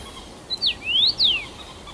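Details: Whistled song phrase of a first-summer male Common Rosefinch at Bazel, Belgium, 7 June 2015: a short high note, a drawn-out rising slur and a descending slur, loud against a quiet background.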